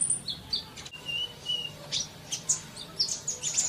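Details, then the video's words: Sunbird in a masteran recording for quick singing, heard at moderate distance: scattered high, thin chirps and brief twitters, several short whistled notes in the middle, softer and more spaced than a full song. "Masteran Kolibri cepat bunyi!!"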